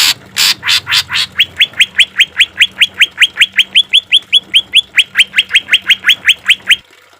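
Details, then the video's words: Green leafbird delivering harsh 'shot' song over trickling water, recorded to train and soothe caged birds. A few loud rasping bursts give way to rapid rising whistles repeated about four times per second, steady and ringing. "Suara cucak ijo full isian suara kasar tembakan gemericik air"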